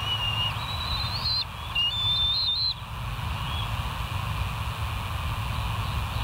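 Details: Bald eagles at West End, recorded on a live nature cam on 08/04/2023 at 05:22: a string of high, thin whistled notes, some rising, over the first three seconds, then only low rumbling background noise.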